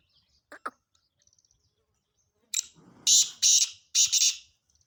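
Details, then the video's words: Black francolin giving its harsh call: a few faint chirps first, then a scratchy series of three loud grating bursts, the final ones doubled, with a soft rumble underneath. "کالا تیتر کی آواز سندھی تیتر کی مکس آوازیں"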